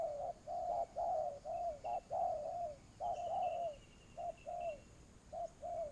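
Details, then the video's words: A decoy spotted dove in a trapping setup coos steadily: mellow, low hoots in overlapping short-short-long phrases, almost continuous, while a faint high whistled trill from another bird runs behind. "tiếng chim cu gáy"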